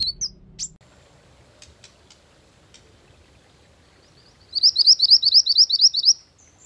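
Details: Mantenan gunung bird song, offered as a lure and master song for training: after faint scattered clicks, a brief high whistled note, then a rapid run of about fifteen sharp high chirps repeated evenly for nearly two seconds.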